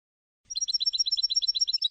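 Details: European goldfinch from Tunisia in the Sfax song style, a 2022 tutoring recording: after a short silence, a rapid steady series of sharp, tinkling two-part chirps repeated about eight times a second, clean and uninterrupted.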